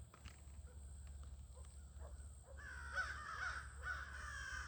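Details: Crows gathering toward evening in August: faint, scattered caws and soft knocks at first, then after a quiet spell a louder burst of overlapping hoarse caws from several birds, with a low background hum.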